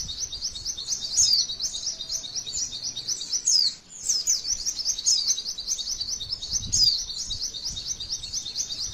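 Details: Female white-eye in the tembakan, or shooting, style: a continuous high, rapid chatter of short twittering notes with long rolling trills, the stream dipping briefly just before the fourth second, then resuming just as densely.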